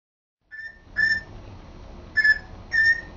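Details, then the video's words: Pet African grey parrot, a male, practising talking at home: three clear steady whistles near one pitch with bright overtones, separated by short pauses, over a faint low indoor hum. "African Grey Sambuka trying to talk and succeeding!"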